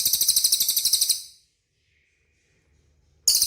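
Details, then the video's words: Cililin song used as a training recording to prompt caged birds to respond: a very high, rapid pulsed trill that fades out after about a second, followed by near silence and then a fresh burst. "SUARA CILILIN DIJAMIN CEPAT RESPON"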